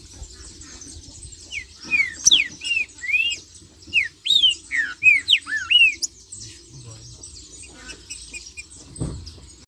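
Green-winged saltator singing a lively burst of rich, slurred whistled phrases, rising and falling, delivered rapidly for several seconds before pausing.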